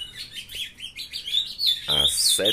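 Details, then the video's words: Captive young ultramarine grosbeak on 23 June at 7:21 in the morning, a bird coming into song, giving a rapid high slurred warble; a loud harsh noise at the end. "filhotada de azulão mandando ver"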